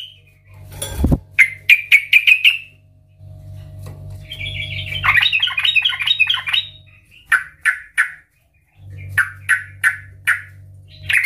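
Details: Loud, chatty yellow-vented bulbul song in the ngeplong style, used to prompt other bulbuls to sing: spaced clear notes, a long jumbled warbling passage, then more short repeated notes, with a low droning rumble at times.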